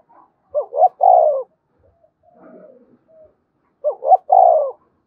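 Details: Spotted dove giving its 'gáy gọi' calling coo: twin short rising notes, then a sustained, loud, slightly falling coo. The phrase repeats after about three seconds, with faint low murmurs in between.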